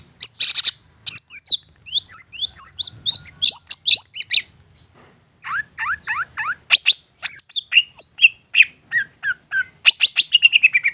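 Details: Long medley from a long-tailed shrike used as a lure to provoke answering song: high chips and twitters, a short pause, repeated downslurred notes, whistles, and a rapid buzzy trill at the end.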